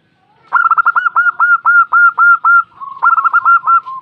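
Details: Female local zebra dove answering: a loud, mid-pitched coo phrase of about ten quick staccato notes. A brief pause follows, then a second rapid burst of similar notes. The background is quiet.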